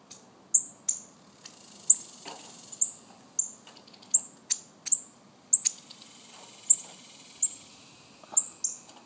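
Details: Busy calling from baby cardinals: repeated high, falling chips, some overlapping or doubled, with faint clicks and a soft rustle among them.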